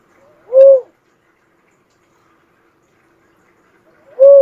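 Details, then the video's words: Two full-toned, low whistled coos from an uncal cuckoo-dove, each briefly arched in pitch, about three and a half seconds apart in quiet surroundings. "suara burung uncal asli"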